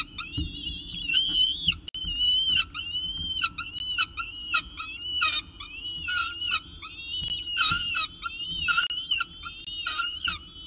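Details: Peregrine falcons at a nest during the evening meal, on a nestcam, 18 October 2018 at 6:51 pm. Shrill, wavering, harmonic cries repeat rapidly and overlap almost without pause, with a faint low hum beneath.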